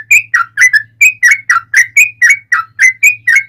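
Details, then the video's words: Yellow-vented bulbul giving its fighting song as a lure for other bulbuls to answer; about two bright, slurred whistled notes per second, some rising and some falling, over a faint low hum. "KICAU SUARA trucukan gacor TARUNG ROPEL PANJANG"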